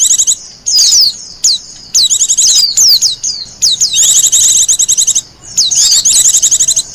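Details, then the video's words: High rapid chirping phrases of a wild Japanese white-eye, starting with short isolated whistles and building into longer twittering runs; meant as lure and master song. "Suara burung pleci liar,cocok buat pikat dan masteran."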